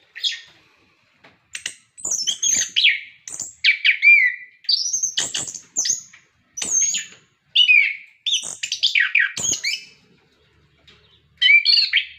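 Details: Orange-headed thrush kept in a cage, singing to prompt other birds: long series of brief, varied phrases of rising and falling whistles, harsh notes and clicks, broken by short pauses.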